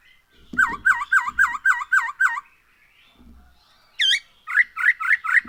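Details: Black-throated laughingthrush song used as a lure for other birds: a fast run of about seven dipping whistled notes, a pause, a sharp upward-sweeping whistle, then another quick series of looping notes.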